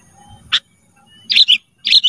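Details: Black-crested bulbul on a cage-bird training recording: a single chip, then two quick bright whistled phrases in close succession.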